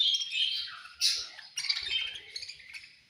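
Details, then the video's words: Budgerigars at feeding time chirping and squawking, a dense overlapping chatter of high scratchy notes with a loud harsh squawk near the one-second mark. "Beautiful Budgies Chirping Sounds"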